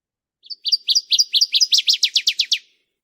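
Northern Waterthrush singing a loud series of about a dozen sharp, clear notes. They slur downward and speed up and grow louder toward the end.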